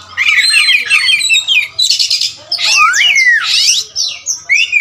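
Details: All-black kacer wulung magpie-robin gives a bright warbled phrase, then loud harsh screechy bursts and swooping whistled slurs, ending with short rising notes.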